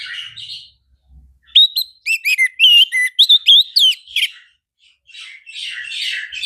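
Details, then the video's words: Energetic orange-headed thrush song, a two-and-a-half-second run of varied loud whistles, sharp slurred notes and trills, framed by softer scratchy chattering before and after. "Anis Merah Gacor"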